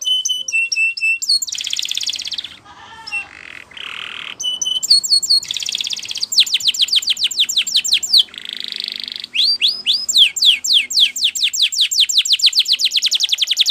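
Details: A Spanish Timbrado canary, a training-song recording, sings a long, varied song of fast metallic trills, rolling chirps and rapid rising-falling note series, about four notes a second, bright and high.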